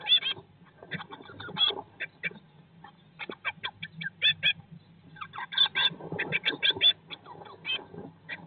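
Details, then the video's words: Eurasian blue tit brood inside a nest box on day 19 after hatching, from a live nest-box stream; eggs first hatched 19 May 2022. Rapid thin chirps come in quick bursts and short pauses, with faint rustling underneath. "Blåmeisen i fuglekassen - Dag 19/ Bluetit in the nest box - Day 19"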